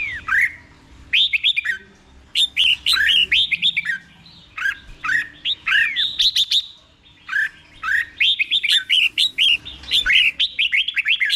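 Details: Teaching song of a caged red-whiskered bulbul in the doubled style, delivered slowly and clearly: repeated phrases of quick, chattering whistled notes that build into a dense run near the end.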